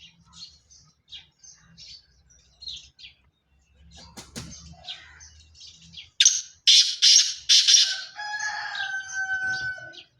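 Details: Pure Sindhi black francolin: after scattered soft chirps from other birds, a loud harsh call of about four rasping buzzy notes bursts in. A drawn-out whistled tone follows.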